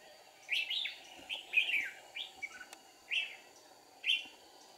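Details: Trapping decoy red-whiskered bulbul in deep forest, 1 April 2019: cheerful slurred whistles in short groups, roughly one per second, with gaps of quiet and a low steady hum behind.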